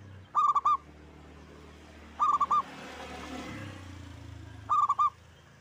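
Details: One local zebra dove in active song. Three short bursts of rapid, stuttering coos come roughly every two and a half seconds over a steady background of broadband noise and low rumble.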